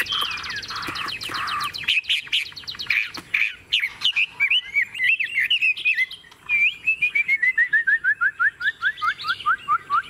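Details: A tame captive Chinese hwamei singing in its cage while the cage is shaken: a rich, fast run of varied whistled phrases and repeated notes, ending in a descending series of clear, slurred whistles.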